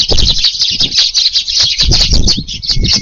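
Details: Eurasian tree sparrows feeding in a garden in the evening on 18 July as the wind picks up; dense, overlapping high chirps and twitters run without pause, with low gusty rumbles and thumps underneath.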